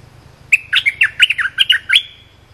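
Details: Short training song of a cream-vented bulbul, sung for young birds to copy. A lively burst of roughly ten clipped, warbled notes starts after a brief pause and ends in a thin trailing tone. A soft low hum runs throughout.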